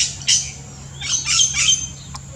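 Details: Yellow-rumped cacique (Cacicus cela) in the Brazilian Amazon giving a few harsh, raspy squawks in quick succession, ending with a sharp dry click; faint low hum underneath.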